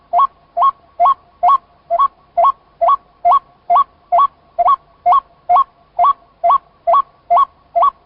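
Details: White-breasted waterhen (chim cuốc) calling: a short two-step note that jumps abruptly from low to higher pitch, repeated steadily about twice a second, eighteen notes in a row, clean quiet background.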